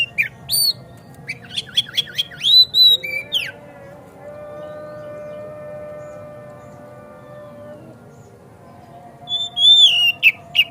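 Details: Oriental magpie-robin song played to excite another bird into singing and fanning its tail: fast chips and high whistles for about three seconds, a long quiet stretch with only a low steady drone, then more loud whistled notes near the end.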